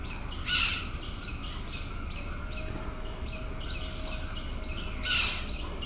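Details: A Black-naped Oriole in Yangon, Myanmar, on New Year's Eve 2020, gives two harsh, nasal rasping calls about four seconds apart, over constant high twittering from small birds and a low rumble.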